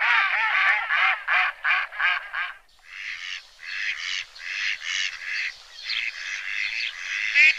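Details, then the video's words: Duckling on a pond: a quick series of ringing, nasal calls gives way to a looser stream of rough, buzzy quacks at an uneven pace. "Duck sound - duckling in the pond - duck quack"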